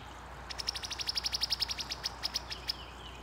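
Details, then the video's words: In a backyard in summer 2021, a female Brown-headed Cowbird gives a dry, rapid chatter of about fifteen high, clipped notes over two seconds, slowing slightly at the end, against faint outdoor background noise. "Brown-Headed Cowbird (Female, and making call)"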